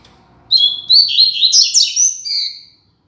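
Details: Tutor song in the classic Tui Tui Zel Zel style from a Double-collared seedeater: a quick string of piercing whistled notes with buzzy trills, about two seconds, fading at the end against a quiet background.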